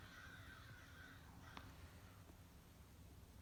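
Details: Crows from a flock of at least 60 gathered at a feeder one morning, a run of faint overlapping caws in the first second, then a single sharp click and quieter background.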